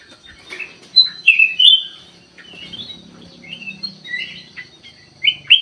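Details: Sooty-headed bulbul song played as a lure to draw a response from other birds: bright chattering and whistled notes, some sliding upward, in short irregular bursts with quiet gaps between.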